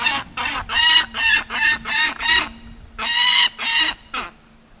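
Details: An unreleasable captive female peregrine falcon at a raptor education centre in Milford, Pennsylvania, noisy at first during a live program, gives a harsh, grating cack-cack series, about ten loud rasping notes in under five seconds, with a faint hum behind.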